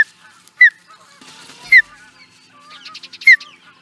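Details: Osprey recorded in Charlo, Montana, USA, in 2017. A few loud, isolated, falling whistled notes come roughly a second apart, mixed with softer twittering calls and a short rustling noise.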